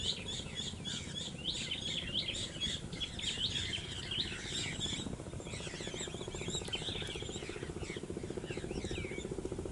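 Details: A mixed flock of shorebirds on the east coast of Aceh, Sumatra, Indonesia, near mangroves, producing a busy chorus of many overlapping high chirps and slurred notes that thins out toward the end, above a pulsing low hum.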